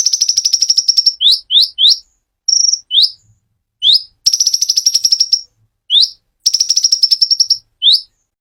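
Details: Konin song with a clear voice, long high rapid trills alternating with bursts of sharply rising upslurred notes and one short level whistle, repeated steadily over several seconds with no background noise.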